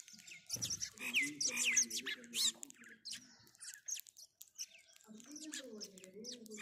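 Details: House sparrow giving a dense burst of shrill, high chirps that thin out to scattered notes, followed by a low, wavering hum-like voice.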